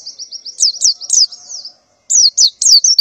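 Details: Morning calls of a breeding-condition female white-eye summoning males: a run of thin, high wavering chirps, a short silence, then four louder sharp downslurred notes.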